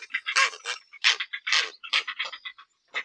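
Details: Grey heron (Ardea cinerea) giving a series of short, harsh, nasal bursts in quick, irregular succession. The bursts are broadband and run through about three seconds with brief gaps between them.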